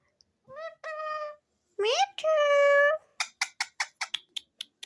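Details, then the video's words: Parrot voice with clear harmonic, speech-like tones: a short rising note, then a long level syllable, followed by a quick series of about ten sharp clicking or chattering bursts, indoors and quiet. "Sound of Parrot"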